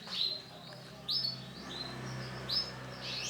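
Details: Male canary with orange and black colour variety, singing a series of short high notes: brief sweeping phrases around four kilohertz-level pitch spaced about a second apart, with faint low background hum.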